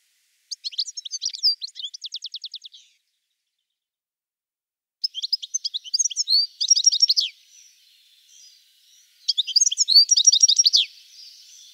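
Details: European goldfinch song: bursts of rapid high twittering and buzzy trills in three phrases separated by pauses, with faint soft notes between phrases.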